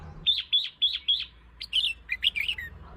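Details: Red-whiskered bulbul song for luring and provoking birds: four evenly spaced, slurred whistled notes dipping downward, followed by a quicker jumbled phrase of several bright, varied notes ending on a falling note.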